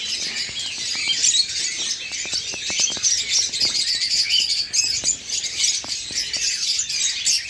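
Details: Fledgling eastern rosellas living with their parents; the first to fledge eats alone and is chased by the male. Constant shrill twittering over many rapid sharp clicks.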